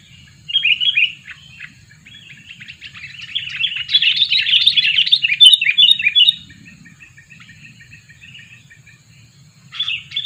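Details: Lure sooty-headed bulbul, aged two years, kept to draw in wild birds: a dense, busy chatter of bright twittering notes that swells in the middle, fades, and returns as a short burst at the end, with a faint low hum.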